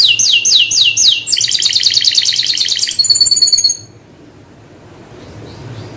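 Canary singing a fast, bright song of repeated trilled phrases, high and rolling, changing tour every second or so before stopping; faint background hum.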